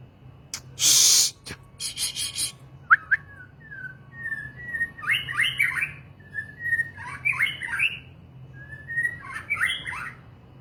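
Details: White-rumped shama (murai batu) singing: a loud broadband burst near the start, then drawn-out clear whistles followed by rich, slurred, tumbling phrases repeated about every two seconds, over a steady low hum.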